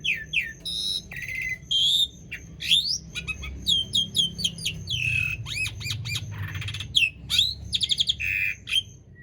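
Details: Asian pied starling in long, varied song meant as a lure for quiet starlings; squawks, clear whistles, sharp downslurred notes and rapid rattling phrases alternate across the stretch.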